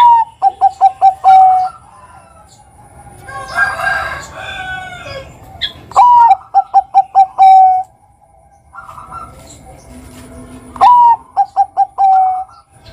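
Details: Perkutut, the zebra dove, of the Bangkok type, singing a lure song meant to get young birds singing: repeated phrases of a sharp whistled opening, five or six short pulsed coos and a long trailing note. Murmuring voices between phrases.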